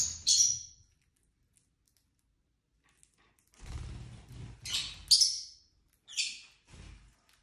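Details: Indoor pet lovebirds trading shrill, scratchy chirps, a burst at the start and a run of several harsh notes later, along with low thumping and rustling from movement.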